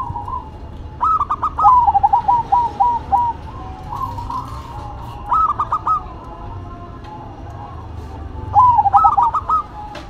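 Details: Two zebra doves, a local bird and a Cemani bird, duet in soft, mellow cooing phrases, each a quick stuttering run of rolling notes, repeated every few seconds over a faint hum.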